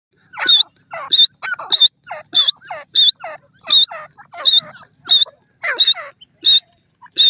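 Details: Female black francolin with her chicks: repeated short bursts about every two-thirds of a second, each a thin high piping note joined by quick downward-sliding chirps, loud and close.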